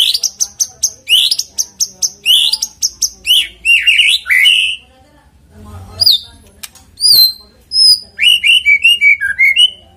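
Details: Lure song of a white-rumped shama, played to make a bird sing quickly: a fast train of very high, sharp repeated notes, then varied slurred whistles and high chips, with a short quiet pause midway.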